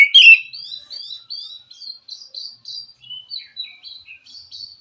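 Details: Wild forest white-rumped shama song meant to rouse a captive bird that will not sing: one loud opening note, then a string of soft, high twittering and whistled phrases.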